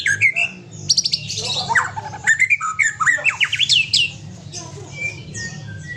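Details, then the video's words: White-rumped shama of the Aceh type, kept with a companion bird, singing a rich varied phrase: rising whistles, sharp rapid ticking bursts and quick slurred notes climbing in pitch, over a steady low hum. "Murai Aceh + Punya Teman"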